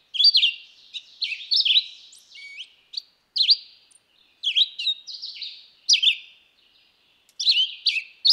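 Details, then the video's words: Red-eyed vireo song delivered quickly: a near-continuous series of short, varied whistled slurs and chirps, some overlapping with faint trailing notes, in the high register. "Singing Red-eyed vireo"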